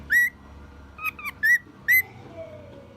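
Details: Male cockatiel, one year old, whistling short mimicked phrases: four clear notes near the same pitch, some slurred up, spaced over three seconds, with a faint low hum behind.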